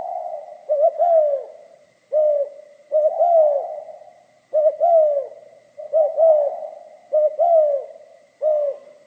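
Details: Spotted dove delivering its 'giọng pha kim' song, a steady series of low coos built from a quick paired note and a longer falling coo, about eight phrases in nine seconds, with a faint high hum in the background.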